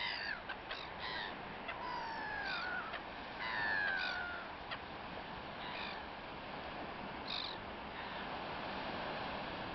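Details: Gulls calling while feeding: several overlapping drawn-out, harmonic cries that slide downward, plus short sharp notes, with a steady hiss of background noise throughout.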